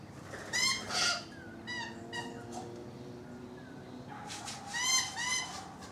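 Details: Rainbow lorikeets on a balcony giving harsh, stacked screeching calls in short bursts, with a longer run of grating notes near the end over a low background hum.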